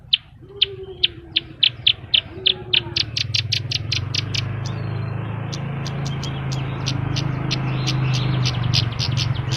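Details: Horsfield's bush lark singing vigorously, full of varied notes: a run of sharp high chirps, then faster thin ticking notes, over a steady low hum and rumbling background noise.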